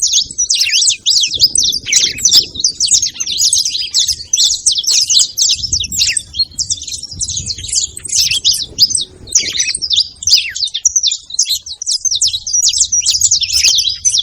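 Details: Several saffron finches calling together in a dense, continuous chatter of bright, high chirps and trills that overlap for the whole stretch, with a soft low background hum.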